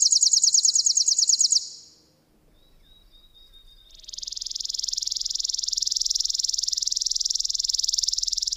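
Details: Chipping sparrow (Spizella passerina): a high rattling trill fades out, a few thin notes follow, then a very fast, almost buzzy, continuous trill carries on for more than four seconds.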